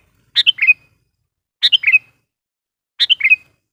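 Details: Sooty-headed bulbul used as a lure to call wild bulbuls, giving three short bubbly phrases of three or four descending notes, evenly spaced about every 1.3 seconds, in clean silence.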